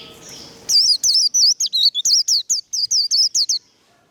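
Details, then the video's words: Warbling white-eye delivering 'líu' fighting song used in training: a tight burst of about a dozen piercing, up-and-down whistled notes lasting some three seconds, then silence. "Vành khuyên líu đấu. Khuyên líu kích bổi. Kích lửa vành khuyên líu đấu"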